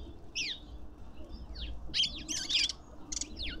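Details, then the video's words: Lovebirds at a feeder in a suburban garden in Pretoria, South Africa, giving sharp, high chirps that sweep down in pitch, spaced irregularly, with a harsh, buzzy squawk burst near the middle and a low background rumble. "Lovebirds endlessly"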